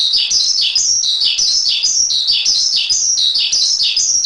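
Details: Javan pied starling song as a master track for training songbirds: a loud high phrase of a sharp chirp dropping into a slurred whistle, repeated about twice a second in a regular pattern.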